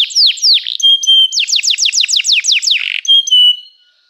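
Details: Canary song phrase: a few swooping falling notes, a steady whistled tone, then a quick run of sharply falling notes that ends on a short clear whistle before silence.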